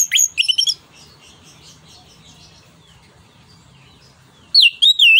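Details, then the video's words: Anis kembang (orange-headed thrush) song of the 'ngeplong nembak' type, for stimulating and tutoring other birds: a burst of high looping whistles, several seconds of faint background chatter, then loud wavering whistled phrases. "ANIS KEMBANG NGEPLONG NEMBAK BUAT PANCINGAN"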